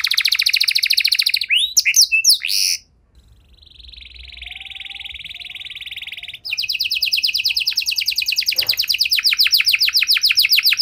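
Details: Long, richly varied canary song used as a lure to get stalled canaries singing again: loud rapid trill and sharp sweeps, a short pause, a softer steady buzzing roll, then a bright fast high trill to the end.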